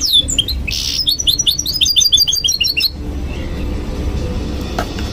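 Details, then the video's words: Goldfinch mule in a cage at night gives a descending whistle, a buzzy note and a quick series of bright chirps for about three seconds, followed by quiet background hum. "Mule Goldfinch Singing At Night"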